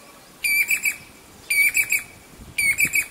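A Jacobin cuckoo gives loud, ringing, metallic whistles in quick bursts of three or four notes, repeated about once a second. There is faint background hiss.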